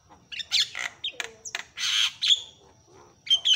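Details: Loud Javan myna calls used to provoke other mynas into calling: rasping harsh squawks mixed with short whistles and one long falling whistle, delivered in irregular bursts.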